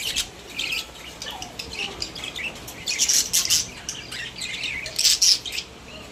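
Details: Pet budgerigars together in their cage, described as happy: scattered high chirps build into louder clusters of squeaky, scratchy notes around the middle and again near the end, with quieter chatter between.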